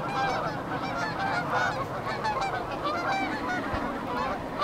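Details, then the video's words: Geese departing Beaver Dam Flats in Calgary, Alberta, on migration to warmer climates. Constant clamour of many honks, some rising in pitch, layered thickly without gaps. "Geese Taking Off"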